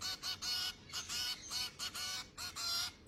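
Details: Hungry finch chicks begging while being fed: a near-continuous run of harsh, buzzy, high calls in quick overlapping bursts, roughly one and a half per second, loud and insistent against low background hiss.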